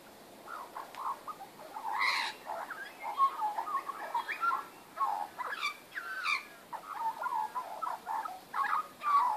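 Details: Backyard magpies, 19 April 2014, giving a varied warbled song mixing low gurgles with sharper, higher whistled notes and rising slurs, fairly loud and nearly continuous.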